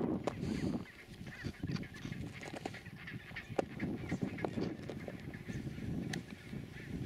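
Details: Chinstrap penguins calling at their colony at a landing site on Halfmoon Island, Antarctica, on 9 December 2016. Harsh, honking calls burst out irregularly over a steady low rumble of wind and surf.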